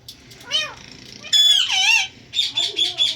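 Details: Talking and dancing ringneck parrot saying Hindi words indoors: strained, very high, speech-like syllables in three short bursts, the middle one loudest.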